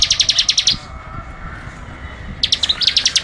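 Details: Bar-winged prinia (ciblek) song meant for tutoring cage birds: fast series of sharp high ticking notes, a pause with faint background hiss, then the rapid ticking resumes.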